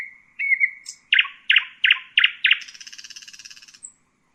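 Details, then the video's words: A common nightingale phrase opens with a steady whistle, moves into five or six hard repeated notes, and finishes with a rapid buzzy trill and a brief high whistle. "Common nightingale,beautiful birdsinging"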